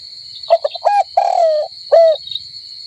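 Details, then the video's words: Dove calling: soft, hollow cooing notes, a few quick short ones followed by two longer, drawn-out coos, with a steady high whine running throughout. "Bird (dove) sounds"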